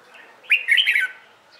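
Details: Red-whiskered bulbul singing a morning competition-style song used to train birds: one brief, bright warbled phrase of quick rising and falling whistled notes lasting about half a second, over a quiet background.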